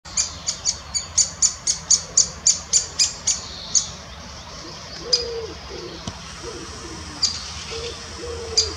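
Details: A great spotted woodpecker in the Munich Botanical Garden gives a fast series of about a dozen sharp, high 'kik' notes, three or four a second, then scattered single notes; low mellow calls sound faintly behind.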